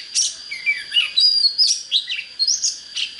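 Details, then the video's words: Oriental magpie-robin song meant to get birds fired up for fighting: a quick run of varied whistles, slurred upward and downward notes and short chirps, with a constant thin high tone behind it. "Chích chòe than HÓT HAY"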